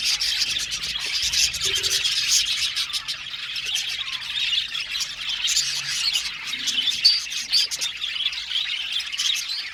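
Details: Budgerigar colony in an aviary: a dense, continuous chorus of high chirps, squawks and warbling chatter from many birds overlapping without pause, with brief sharp peaks.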